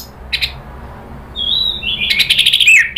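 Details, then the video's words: Orange-headed thrush provoked into emotional rattling calls then open song, used as a lure and therapy sound: a short buzzy burst, a steady high whistle, then a fast run of sharp chattering notes and slurred whistles. "bikin ANIS MERAH EMOSI NRATAK lanjut NGEPLONG"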